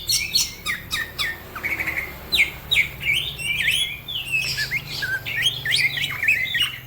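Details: Green leafbird singing in fast, busy style with other birds joining; a few sharp high chips, then drawn-out whistles bending up and down, followed by a quick jumble of notes.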